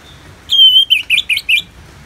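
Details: Orange-headed thrush ngeplong song for therapy: one drawn-out, level whistle followed by four quick rising slurred notes, loud and clear over quiet background.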